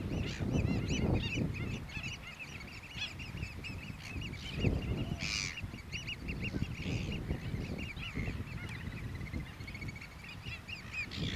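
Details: Black-billed gulls taking off and landing in New Zealand. A dense chorus of short, arched, nasal squawks follows in quick succession from many birds, over a constant low rumble of wind.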